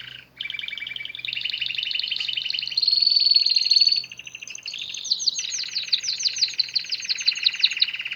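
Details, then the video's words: Canary singing a chain of trills at changing pitches, a bright piercing high roll in the middle, then a series of swooping repeated notes over a low trill. "أروع تغريد كناري"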